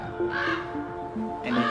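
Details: Adult Common Ravens in Yellowstone give two harsh, raspy calls about a second apart, apparently upset as a climber approaches their nest with chicks to fit a camera; soft sustained music score underneath.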